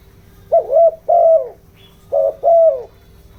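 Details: Captive decoy spotted dove cooing in a bronze-voiced style to excite wild doves: two low double coos, each a short note followed by a longer falling one, about one and a half seconds apart, steady hum behind.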